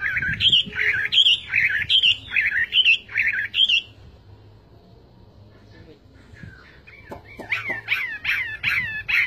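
A Chinese hwamei sings loud, rich, slurred whistled phrases repeated about once a second, pauses, then resumes with varied rising and falling notes.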